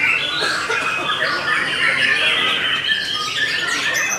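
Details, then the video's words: White-rumped shama of the Belanda line delivering a hurried song of harsh churring and squawky notes mixed with brief whistles, notes tumbling out about four per second without a break. "TOP CERR🔥 Murai Batu BELANDA Memang TOP - Masih Stabil"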